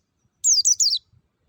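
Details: Short phrase of wild white-eye lure song for getting caged birds singing: three quick, high, buzzy notes sliding downward in under a second, otherwise near silence.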